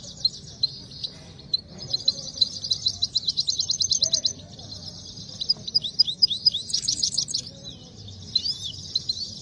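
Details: Singing contest of the Himalayan goldfinch (saira): fast, high, buzzy trills and rapid chirp bursts pour out nearly nonstop, swelling into dense rattling runs before easing into scattered notes.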